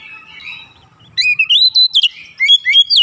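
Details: Oriental magpie-robin, agitated and unloading its repertoire of learned filler phrases: a faint warble first, then loud, varied whistled notes sliding up and down in quick bursts after the first second.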